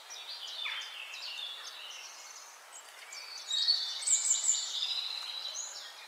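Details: Several birds singing at sunrise on a farm on a cloudy morning: overlapping high chirps, whistles and twittering phrases, growing louder and denser halfway through, with no low background sound.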